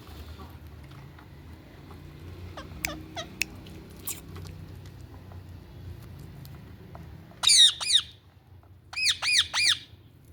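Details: Ringneck parrot giving harsh, grating squawks: a few faint, thin notes at first, then two loud, rasping screeches in quick succession, a short pause, and a rapid run of three more strident cries over a quiet background.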